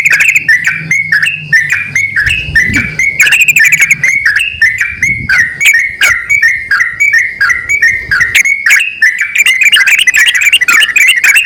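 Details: Male and female yellow-vented bulbuls calling to each other in a long sequence of short, sharp, whistled chirps repeated steadily, with brief low thumps early on and a quiet hum that fades before the end.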